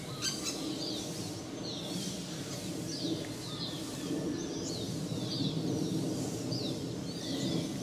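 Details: Juvenile male common flameback begging as its mother keeps feeding him in Jeram Mangrove Forest, Selangor, on 2 October 2010; high, downward-slurred calls repeat about once a second over a steady low background hum.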